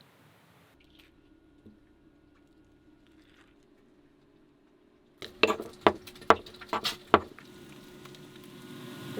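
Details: Near-silence for five seconds, then a burst of sharp clicks, taps and handling noises indoors, with no animal voice.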